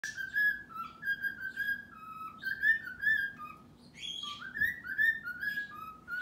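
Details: A cockatiel sings the He-Man theme song in his cage at night. He has known the tune for over a year, and he whistles it in clear, melodic phrases of rising and falling notes.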